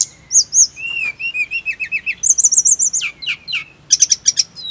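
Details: High-pitched song of the snowy-browed flycatcher, used as therapy to make birds sing: paired whistled notes, a chain of rising slurs, a fast series of about ten sharp notes, then scratchy buzzes.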